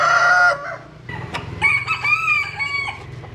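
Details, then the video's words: Jap Cuban bantam chicken crowing while sunbathing: a harmonic-rich tone opens loudly, fades, then a second drawn-out, slightly wavering crow with bright stacked overtones rises and holds before trailing off. "Gà Tre Jap Cuban Tắm Nắng. Gà Gáy/ Chicken Bamboo Jap Cuban Sunbathing. Crow"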